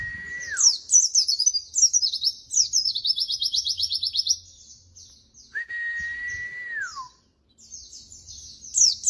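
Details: Singing white-eye as a song tutor: a flat whistle bending down, then a long stream of very high, rapid twittering and pulsed trills, a second drawn-out falling whistle, and more twittering.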